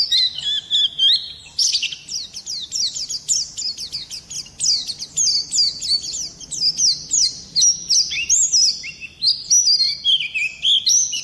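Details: Continuous high-pitched warbling song of an Oriental white-eye, rapid slurred whistles rising and falling in dense runs, barely pausing over the whole stretch.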